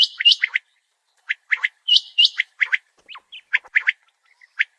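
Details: Common quail calling: sharp, high chirped notes in quick clusters, some grouped in threes, with short silent gaps between bursts.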